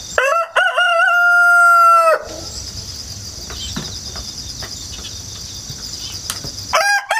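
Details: During a long run of crowing on 1 September 2019, a rooster raised in the countryside after hatching in an apartment lets out a full crow lasting about two seconds. Insects chirr in the gap, then the next crow begins.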